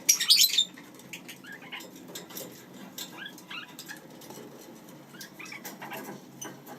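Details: Pet lineolated parakeets (Bolborhynchus lineola) kept with their chicks: a loud harsh burst opens, followed by soft, short chirps and twitters scattered through the rest, with faint rustling and a low background hum.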